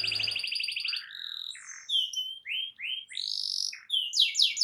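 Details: Loud canary song to draw responses from other canaries, starting with a buzzy rolled trill, then varied clear whistles, slurred notes and sharp descending chirps in quick phrases.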